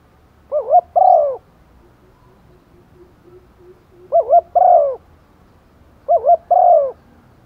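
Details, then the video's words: Lure female spotted dove calling for males in the rainy season: three mellow phrases at uneven intervals, each a quick two-note wavering coo and then a longer, descending coo, over faint low background. "chim cu mái mồi gáy gọi chim trống mùa mưa, tiếng chim cu mái, cu gáy mái"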